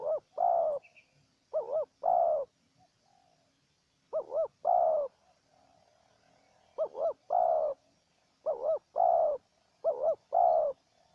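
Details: Wild spotted dove and a decoy dove calling against each other during trapping. Six phrases, each a wavering two-part coo followed by a longer rounded coo, come in irregular bursts with a brief high chirp early on.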